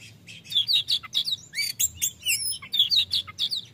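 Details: Oriental magpie-robin, kacer, in ngeplong singing style, used to provoke a caged reluctant or lazy bird into singing; rapid, varied whistled and chattering phrases, sharp notes repeated several times a second, with a faint low hum beneath.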